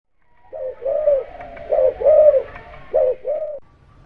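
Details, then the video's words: Spotted dove (derkuku), a lively singer, used as a lure to get quiet birds calling: several mellow, hollow coos in close sequence, each a short rise then a longer sustained note, with a faint steady hum behind. "Suara Pancingan Derkuku Gacor Buat Pancingan Burung Malas Bunyi, Langsung Nyaut"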